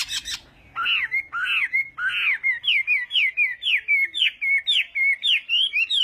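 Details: Chinese hwamei contest song from a morning voice-training session: a few loud arched whistled notes opening, then a steady run of about a dozen quick, evenly spaced rising-falling whistles.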